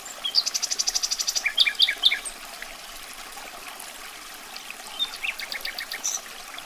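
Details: Common nightingale song opening with a fast, even run of about fifteen high repeated notes. Separate sharp chirps follow, then softer, scattered notes over a constant hiss.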